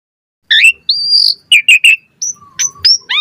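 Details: Asian pied starling in full, lively song: a loud buzzy rising note, a long high whistled tone, a quick burst of three harsh chirps, then scattered sharp whistles and a low flat tone.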